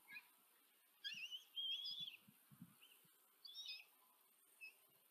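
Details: Common kestrel young in a nest at Tiszanagyfalu, Hungary, fed by the female on 14 July 2023; piercing, trilling whines in quick bursts of about a second, interspersed with brief shorter squeaks and a few muffled bumps.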